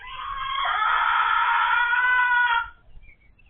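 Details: Egg-laying hen in a first-time keeper's flock, noted as much louder since laying began; one long, strong, nasal, harmonic cry is held steadily for about two and a half seconds, then stops abruptly.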